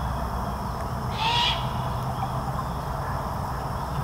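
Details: Grown-up juvenile great horned owl, not yet independent, begging its parents for food at Fenner Nature Center, Lansing, Michigan, in 2021; one hoarse hissing shriek about a third of a second long, then only low background noise.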